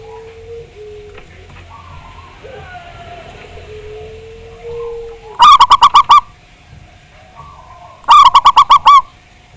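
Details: Zebra dove with a big, deep voice, played as a lure to make other zebra doves sing: two loud bursts of six or seven quick, rolling coos, each burst about a second long, with faint whistles from other birds between them.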